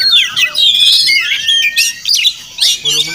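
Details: Wild Oriental magpie-robin visiting a home each morning, possibly nesting nearby, singing a rich, fast run of slurred whistles that rise and fall sharply, with brief pauses between bursts.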